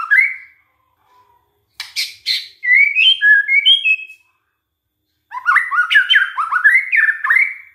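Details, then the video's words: Lure recording of a white-rumped shama to make other shamas sing: whistled rising notes and sharp clicks, then after a pause a lively sequence of rapid looping, upward-slurred whistles. "DICOBA PANCINGAN MURAI INI, pasti murai tak tahan diam"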